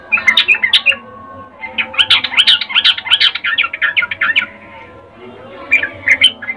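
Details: A sooty-headed bulbul female giving a ngecuplik breeding call to attract a male, used as a lure. A brief chatter opens, then a long run of quick, squeaky, jumbled notes, then a quiet gap and a final short burst.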